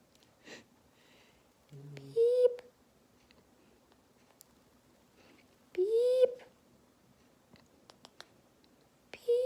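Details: Green-cheeked conure kept as a pet, talking back to its owner: after a brief low human murmur, three loud rising squawks sound several seconds apart, each harsh and buzzy, in an otherwise quiet room.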